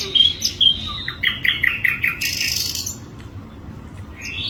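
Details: Sharp whistled notes followed by a series of quick chipping notes and a brief buzzy burst from an Asian brown flycatcher, then a quieter rising note near the end.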